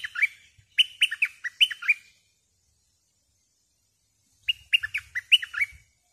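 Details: Decoy bulbul singing lively phrases of rapid, bubbling whistled notes, two phrases close together, then after a silent gap of a few seconds another similar burst.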